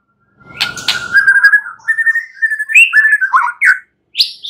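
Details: White-rumped shama lure song for night-time, to get a bird singing: a drawn-out steady whistle, then a rambling sequence of fluty rising and falling whistles, with a short high note at the end.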